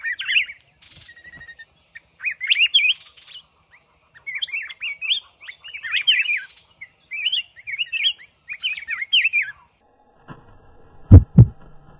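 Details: Red-whiskered bulbul of the mountain form, a trapped bird in a fighting contest, caged for one month; short warbled, whistled phrases sung one after another for about ten seconds, then two loud low thumps.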